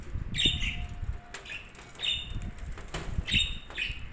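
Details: Budgies chirping in short high notes over a steady low rumbling background, with occasional clicks and soft knocks between the calls.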